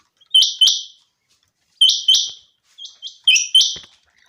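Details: Common quail calling in a summer meadow: short bright doubled notes, each pair sharply clipped, repeated in bursts with pauses; a softer, quieter pair follows before two more loud phrases.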